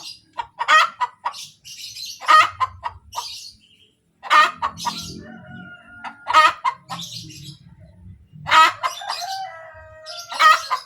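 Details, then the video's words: Hen calling kotek kotek after laying an egg, a run of short clucks building into loud rasping squawks roughly every two seconds, with a drawn-out tonal note near the middle and low background rumble. "SUARA AYAM SETELAH BERTELUR | AYAM BERKOTEK | AYAM BETINA BERTELUR"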